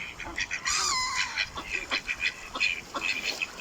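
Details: Ducks heard outdoors, a quick series of bright, nasal quacks in uneven bursts, one longer drawn-out call near the start.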